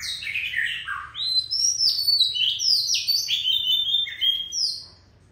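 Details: Oriental magpie-robin, a fierce-voiced old forest bird, singing a rich run of loud whistled phrases that slide and jump between notes, dense and varied with barely any pause.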